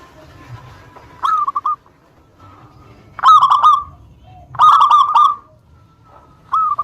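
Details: Local zebra dove singing actively as a lure to provoke rival birds to answer: three bursts of low, rolling, stuttered coos separated by short pauses, the last just starting as the recording ends.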